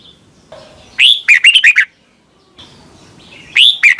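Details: Red-whiskered Bulbul song played to teach caged birds: two cheerful, bubbly phrases of four or five quick whistled notes, rising at the start, about two and a half seconds apart, over a faint hiss.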